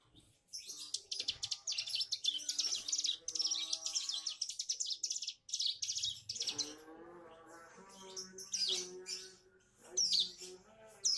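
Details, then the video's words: Bar-winged prinia youngster learning to sing 'bren', pouring out high, scratchy, buzzing chirp sequences with brief pauses, while a steadier lower-pitched tonal call hums underneath in the second half. "Suara ciblek gunung belajar brennn"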